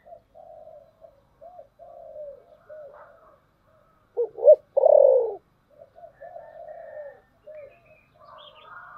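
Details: Lure spotted dove with a 'thổ sấm' voice used to draw in wild doves. Low, mellow cooing notes run in a string, broken by two loud harsh bursts halfway through, then the soft coo phrases continue.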